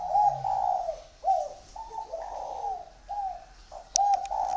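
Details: Spotted dove in a Ba Vì bird garden near Hanoi, Vietnam, giving a run of rounded, hollow coos in quick groups. A low note opens the run, and a few sharp clicks sound near the end.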